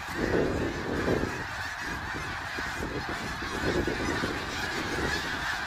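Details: Many snow geese at Middle Creek Wildlife Area, March 3, 2022, honking together; a few nearer, clearer yelps stand out early over the steady background clamour of the flock.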